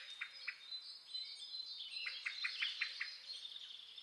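European greenfinch song: a fast run of short, bright chirping notes, nearly three per second, laid over a continuous high, buzzy twittering trill.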